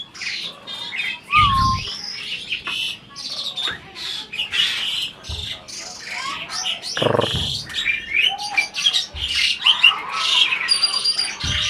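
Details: Adult Asian pied starling appearing to talk back: harsh, scratchy chatter and buzzy high notes run almost continuously, with a few short whistled slurs and brief low speech-like bursts mixed in.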